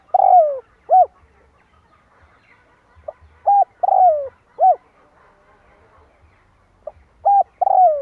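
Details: Spotted dove call used to lure wild birds for trapping: hoarse cooing notes, each phrase a few deep descending coos, given in short groups with pauses between; faint low rumbling beneath.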